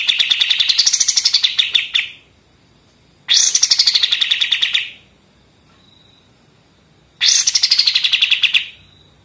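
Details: Pied triller, machine-gun style song used to tutor other songbirds: three fast rattling trills, each about two seconds, with a short rise then a gradual downward slide, separated by quiet pauses of over a second.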